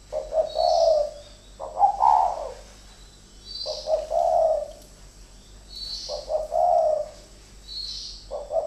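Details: Two captive decoy spotted doves fighting each other, trading deep, throaty cooing phrases every couple of seconds, each a short rolling burst ending in a drawn-out coo, with a thin high chirp between phrases.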